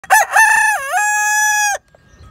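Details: Silkie Easter Egger rooster crowing: one long harmonic-rich crow of about 1.7 seconds, opening with a few rough notes, dipping in pitch midway, then holding a steady strained tone before cutting off into quiet.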